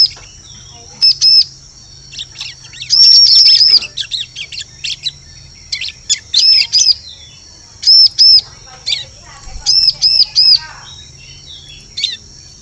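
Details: Bar-winged prinia lure call for forest bird catching: loud, sharp, high chirps in groups of two and three, with one long scratchy burst and scattered soft tweets between groups.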